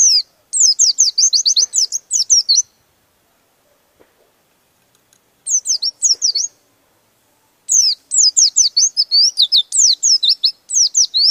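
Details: Oriental white-eye rolling song that provokes rival birds: dense two-second runs of thin, high, falling chirps, a near-silent gap with faint clicks, then a short run and a final long rapid burst.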